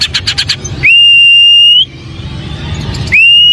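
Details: Long, pure, level whistles from a White-rumped shama, each held for about a second, starting with a quick upward slide, following a brief series of rapid soft notes.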